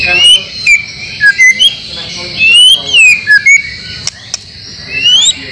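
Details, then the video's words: White-rumped shama song made as training for caged birds, 30 April 2024, mixing in imitations of other species: bright whistled phrases, some rising, some falling, in short separated bursts, with constant high-pitched hiss. "masteran murai batu yakin 100% bikin gacor setiap saat"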